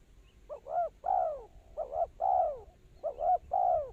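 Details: Spotted dove calling as a decoy for trapping birds. It gives three rapid, closely spaced phrases, each a pair of short coos followed by a drawn-out, descending hoot. Background is quiet.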